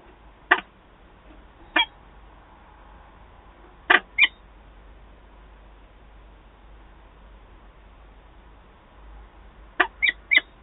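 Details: Peregrine falcons, an adult pair meeting at Wałbrzych on 11 September 2022, utter scattered harsh, raspy notes with long quiet gaps, ending in a rapid run of three.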